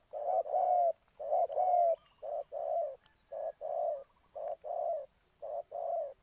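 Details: Spotted dove used to lure birds into a trap in Ninh Thuận, Vietnam. It gives six evenly spaced short-long cooing pairs; the first two pairs are slightly layered and richer. The setting is otherwise quiet.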